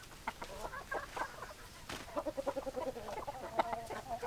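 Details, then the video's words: Flock of chickens, hens and roosters, giving dense short clucks, then a run of evenly spaced, slightly tonal clucks about every tenth of a second, overlapping with other birds' calls. "Chicken Sounds Noises Hens Clucking Roosters Crowing"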